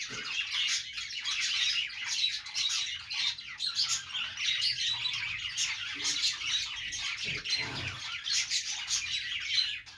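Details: Pet budgies chirp and chatter as they play, a long, thick tangle of high twitters, squawks and rasping warbles, with a faint low knock near the end.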